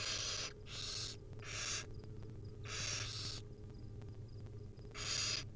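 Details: Wild barn owl nestlings beg for food while their mother hands out tiny bits; several harsh hissing screeches in a quick burst, a pause, then two more, with a steady low hum throughout.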